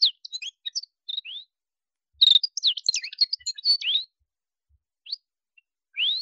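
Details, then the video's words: Male Atlantic canary singing: bursts of thin, high chirps and quick sweeping notes, some sliding up and some down, grouped in two short phrases separated by a pause, with a rising note at the end. No other sounds. "Вьюрок канареечный. Кенар Канарейка. Голоса птиц"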